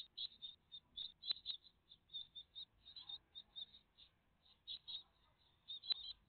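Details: Great tits at their nest, a family watched live on 14 June 2023 in the morning; bursts of high, squeaky chirps come in quick clusters with short gaps, plus a couple of sharp taps.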